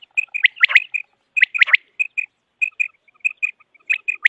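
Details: Common quail call, used for quail hunting: short bursts of bright, liquid notes with sharp rising sweeps, grouped in quick clusters separated by brief silences, about one cluster a second, in an otherwise quiet background.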